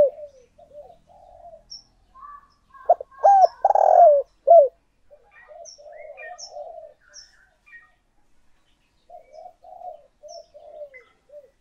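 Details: Spotted dove as decoy, cooing to draw in other doves: soft wavering low coos, one loud phrase of sharp notes and a long rough coo, then more gentle murmuring with faint high chirps.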